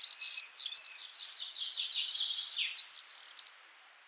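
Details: A wild yellow-fronted canary gives a fast, high, jumbled warbling of twittering notes and quick slurred trills for about three and a half seconds, then falls silent.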